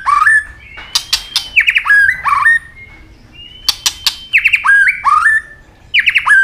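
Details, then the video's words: A White-rumped shama delivers repeated bursts of fighting song: loud clicks followed by quick stepped whistled trills, with short pauses between the phrases. "chòe lửa chuyền hót đấu nết đập tạch đuôi chắc,kích chòe lửa hót đấu chớm lửa"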